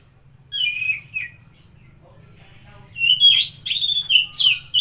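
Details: Oriental magpie-robin song played to rouse a stressed or silent bird: a short whistled phrase, a quiet gap, then a dense burst of rich, varied whistles and slurred notes.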